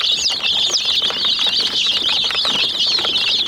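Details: A brood of hen chicks pecks at a small toy jeep, making a busy stream of high piercing peeps, some rising-then-falling, with dull tapping sounds beneath.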